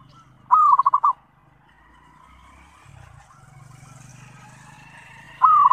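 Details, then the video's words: Lure call of a zebra dove meant to draw responses from other doves. Two identical phrases, each a long coo followed by rapid stuttering notes, are separated by several seconds of low engine-like rumble. "SUARA PANGGILAN PERKUTUT - PANCINGAN SEMUA JENIS PERKUTUT"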